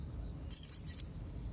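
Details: Young blue-crowned hanging parrot calling to rivals, which answer on hearing it: one thin, very high-pitched whistled call lasting about half a second, with a steady note sliding into a brief second part, over a quiet low background hum.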